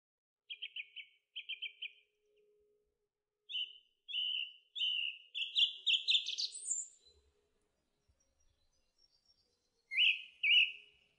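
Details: Song thrush singing: a short buzzy whistled phrase given twice, then a rising phrase repeated three times building to a sharp high flourish, and after a pause a slurred whistle repeated twice.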